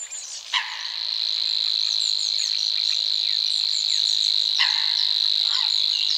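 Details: Reeling song of a Savi's warbler, Czech Republic, territorial male in mating season: a strange chirring insect-like trill starting after a brief pause and running unbroken, with many short chirps and whistles from other birds over it.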